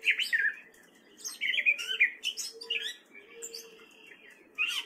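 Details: Gray catbird male, spring, Fairfield, Iowa, singing fast jumbled phrases of warbles, squeaks and rasps, with a brief lull in the middle before a fresh burst, over a faint low hum.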